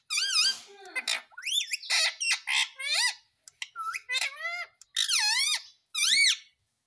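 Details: Pet ringneck parrot, described as a talking parrot, giving a rapid run of loud, harsh squawks. Each squawk is rich and ringing and bends up then down. About a dozen come in close bursts over seven seconds, with brief clicks between them.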